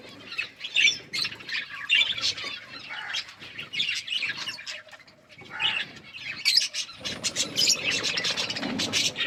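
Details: Budgerigars eating and chirping: scattered bright twitters and short trills in separate bursts, building into denser, continuous high chatter toward the end, with rustling noise.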